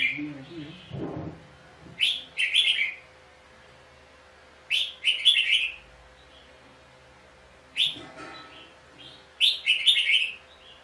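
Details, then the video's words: Fighting song of a red-whiskered bulbul at a trap: short bursts of bright whistled chirps spaced roughly three seconds apart, with a couple of dull thumps and soft low sounds in between. "chào mào cực đẹp hót cực hay đánh nhau cực khủng"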